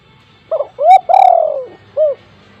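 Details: Spotted dove, heard often and loudly, used as a lure to train other doves. A single clear phrase: a short broken hoot, then a rising coo and a long, gently falling coo, then one rounded final note.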